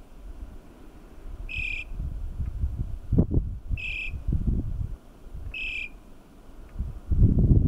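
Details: At Kofa National Wildlife Refuge, La Paz County, Arizona, a loggerhead shrike gives three short, nasal, fairly high notes spaced about two seconds apart, over steady low wind rumble and thumps.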